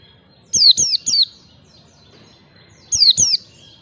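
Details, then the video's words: Lure recording of a white-eye in ngalas style, used to teach young birds: a run of three thin, high, descending chirps, a long quiet gap, then a pair of similar falling notes. "pancingan pleci belajar ngalas PLECI BAHAN CEPAT RESPON"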